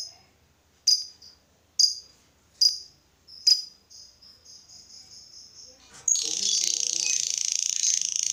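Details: Lovebird sound used to get other lovebirds singing: sharp, high chips repeated about every second, then a long, hissing, buzzy rattle that carries to the end.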